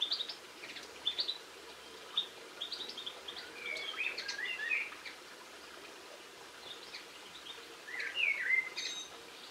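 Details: Linnet singing, filmed 22 March 2016: scattered high twitters early on, then a louder warbled phrase of sliding, slurred notes in the middle and a final rising-falling trill, against steady outdoor noise.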